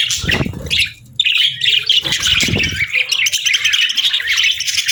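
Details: Several budgerigars chirp on a quiet morning: busy warbling chatter that briefly drops away near the start, then resumes with loud squeaky chirps, with low thuds early on.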